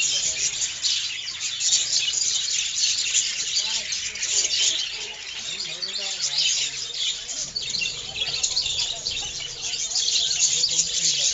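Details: A flock of budgerigars in a breeding aviary in July keeps up a constant high, scratchy chatter of chirps and warbles.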